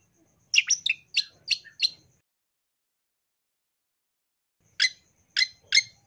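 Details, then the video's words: Long-tailed shrike song in isian tembakan style: a quick burst of five or six harsh chattering notes, a long silent pause, then three more sharp notes. "Masteran Cendet Full Isian Tembakan Mewah"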